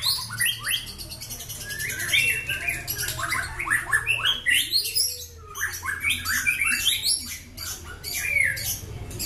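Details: Bahorok-strain white-rumped shama with black legs and a long tail, kept caged: fast, tumbling run of sharp chirps and sliding whistled notes, thick and continuous, over a low electrical hum and soft indoor background.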